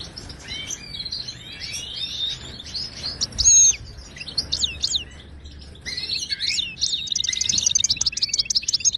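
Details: Wild Moroccan goldfinch, batbata song used to train caged birds: rambling liquid twitters and buzzy slurs, a loud swoop near three and a half seconds, ending in a long rapid chattering trill.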